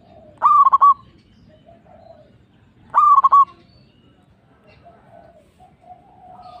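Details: Zebra dove of the local type singing to lure other doves into answering: two brief, rapid stuttered coo phrases about two and a half seconds apart, then softer, lower cooing.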